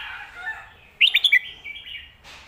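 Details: Red-whiskered bulbul performing a 'phat kuaitiao' / 'khayao khuat' style song meant for training pet birds: one fast string of four clear, bouncing whistled notes trailing into a lower warble.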